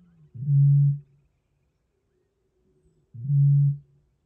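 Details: A Eurasian bittern in the Biebrza Marshes, Poland, gives two deep, hollow booms about two and a half seconds apart, each a low foghorn-like note; nothing else is heard.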